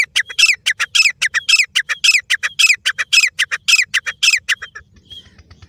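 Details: Grey francolin (desi teetar) from Layyah calling in a rapid series of loud, harsh, grating notes with bright overtones, nearly two per second, then stopping; faint low background rumble.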